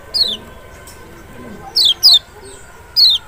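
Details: Lemon-bellied white-eye (Zosterops chloris maxi, the large Lombok or Sumbawa form), a special lure recording meant to stir a reluctant bird to sing; four sharp, high, downslurred whistled notes, two close together, spaced by quiet gaps over faint background noise.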